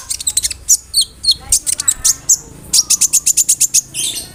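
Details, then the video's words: Konin bird singing a lively medley that mimics crickets and other birds such as brem, kamade and rambatan, used as a tutor for songbirds: rapid high chirps and ticks in fast bursts, with sharp whistled notes between them. "SUARA KONIN GACOR ISIAN JANGKRIK, BREM, KAMADE, RAMBATAN FULL MEWAH"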